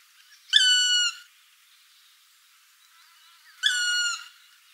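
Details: Black woodpecker, Dryocopus martius, giving two drawn-out, level, plaintive nasal notes about three seconds apart, each lasting under a second, with a faint murmur between.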